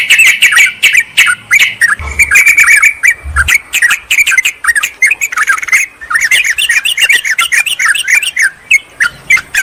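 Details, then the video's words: Yellow-vented bulbul calls used to lure wild birds in forest or garden, calling a rival: rapid bubbling chatter of sharp slurred notes, near continuous, with two short low thumps early on. "suara pikat burung trucukan PALING AMPUH TERBARU/Trucukan memanggil lawan"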